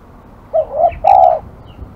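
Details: Spotted dove said to be aggressive delivers a three-note cooing phrase, two short rounded coos then a longer sustained one, with a faint click and light rustle nearby.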